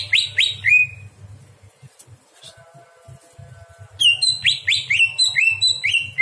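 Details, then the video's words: Greater green leafbird night song for teaching other birds: three swooping whistles, a quiet gap with a soft tone, then a lively burst of bright chirping, slurred notes; low hum underneath. "masteran cucak hijau di malam hari"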